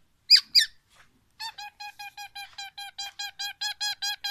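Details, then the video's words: A black-naped oriole sings two sharp, bright notes, then a quick, even run of about thirteen nasal mid-pitched notes, around five per second, mimicking oriental magpie-robin phrases. "MASTERAN KEPODANG EMAS,black naped oriole , FULL ISIAN MURAI BATU"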